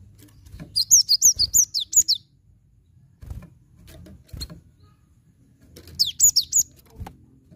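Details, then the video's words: Lure song of a cinereous tit, meant to coax a silent bird into singing: two runs of rapid, high, downslurred whistles, about seven notes then four, separated by a quiet gap with soft knocks. "Glatik Batu Macet Pancing Pake ini"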